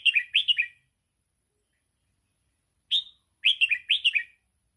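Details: Red-whiskered bulbul 'sai ble' style song, for training young birds: a fast bright phrase, one isolated sharp note, then another rolling run of sweet, descending chirps.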